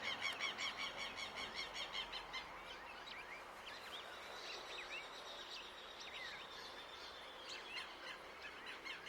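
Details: In a Uruguayan city, a hooded siskin opens with a rapid high trill, then breaks into loose twittering and drawn-out thin whistles, over a constant low urban hum.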